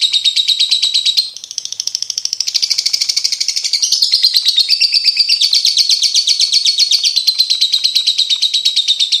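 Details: Champion competition lovebird in full song: continuous rapid high twittering trill, buzzy and unbroken, with a brief dip near the start before resuming strongly.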